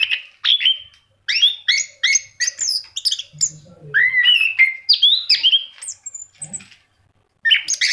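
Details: Orange-headed thrush, a caged bird singing loudly, giving sharp whistled notes, rising and falling slurs and mimicked-sounding phrases in a varied stream, with short gaps and a brief low rumble.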